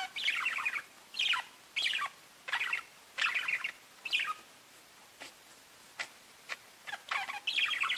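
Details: Chirping parakeets calling to each other in a lively exchange of brief warbling phrases, irregularly spaced, interrupted midway by faint ticking notes before the chatter returns.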